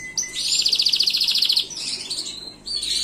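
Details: A Gloster canary delivers one bright, rapidly pulsed high trill of about a second, trailing off into softer warbled notes.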